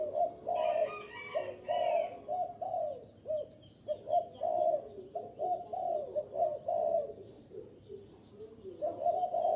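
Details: {'caption': 'Spotted dove calling as a lure for wild birds: long stretches of repeated, gurgling coos with small pitch dips, plus quick high chirps from another bird early on and faint twitters later.'}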